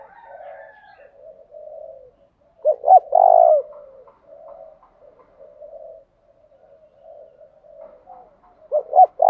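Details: Spotted dove kept as a decoy to incite wild rival birds to fight: soft low murmuring coos around one loud phrase of two short notes and a long coo, another phrase starting at the end.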